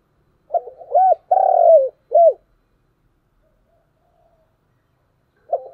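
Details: Spotted dove's morning call: one phrase of short hooting notes, a long throaty rolling coo and a crisp rising-then-falling end note, then silence until another phrase begins.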